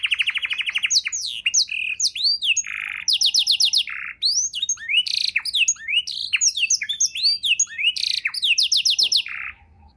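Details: Canary in long, varied song meant as a tutor for songbirds, with a rapid opening trill, repeated fast note runs, buzzy blocks and arching whistles over ten seconds.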